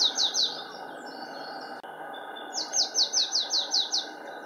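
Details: Marsh tit singing on 25 March 2015 at Linford Lakes Nature Reserve, Milton Keynes: a short burst of three fast down-slurred high notes with a thin trailing note, a pause, then a quick, even series of about eight ringing notes.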